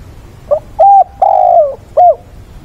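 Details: Decoy spotted dove on 6 September at the weekend, giving fighting song to call mates; soft hooting phrase of four notes, short, level, long and falling, then a short clipped one, in quiet surroundings.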